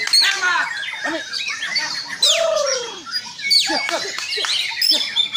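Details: White-rumped shama, or murai batu, singing loud whistled phrases: a long downward-curving whistle, sharp high sweeps and brief chattering notes, separated by short breaks.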